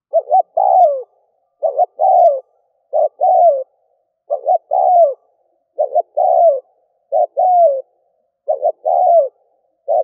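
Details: Spotted dove decoy call used to lure wild doves: repeated three-part coos, two short notes then a longer falling coo, each phrase about every 1.4 seconds on a clean, silent background.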